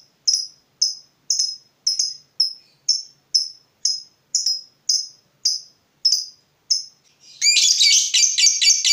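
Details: Fighter-type lovebird agitated at seeing a rival: a run of sharp, high chirps repeated about twice a second, then a dense burst of harsh, rapid chattering at the end.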